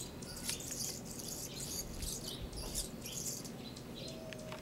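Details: Anna's hummingbird giving repeated high, dry, buzzy bursts, roughly two to three per second, scratchy and insect-like, with a low rumbling background throughout.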